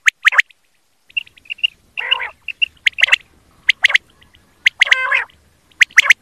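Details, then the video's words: Quail calling in a recording made for quail hunting: sharp, clipped notes in pairs and triplets alternate with short raspy, harmonic bursts and soft chirps, several birds seemingly overlapping. "BATAIR KI AWAZ || QUAIL CALLING"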